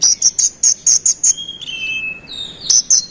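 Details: Konin, or scarlet-headed flowerpecker, singing persistently to rile other birds: a burst of piercing high chips, then a long thin whistle sliding downward, followed by more sharp chips.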